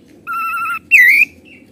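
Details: Oriental magpie-robin (kacer) in 'gacor ngeplong' song with 'isian' imitations: a long, flat pure whistle held for half a second, then a brighter note that dips and climbs, ending in a soft trailing tone.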